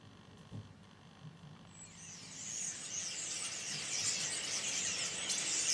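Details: A huge flock of thousands of common starlings arriving from Spain on migration in March 2012 in Berry, France, swells into a dense, hissing chatter of countless high, squeaky calls, growing louder over a few seconds after a quiet start.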